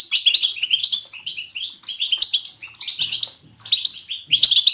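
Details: European goldfinch in natural batbata, a twittering song style selected to motivate goldfinches to sing. Bright, fast, warbled tweets come in three- to four-second runs split by short pauses, with soft low clicks underneath.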